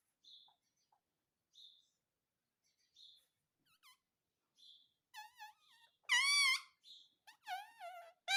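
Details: Pet parrot indoors saying "mummy": soft high squeaks repeated every second or so, then a run of loud, wavering, harmonic speech-like calls.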